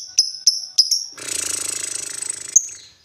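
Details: Lovebird moving from ngetik ticking into ngekek: three sharp high chirps, then a long, rapid, buzzy chattering trill of about 1.5 seconds, ending with a single piercing note.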